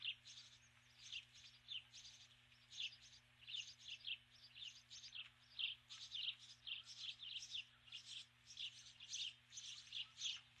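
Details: Osprey female at her nest in the evening, calling for an absent mate: steady run of shrill, piping chirp notes, grouped in quick clusters about every second.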